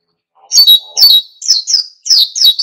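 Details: Oriental white-eye singing vigorously in wild style, meant to stir other birds to sing: high, sharp chirping notes, each a quick downward slur, given in pairs about every half second.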